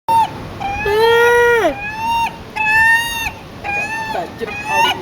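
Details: Gull squawking insistently for food, expecting chips: a run of loud, nasal squawks, each about half a second and often dropping sharply at the end, about four in five seconds.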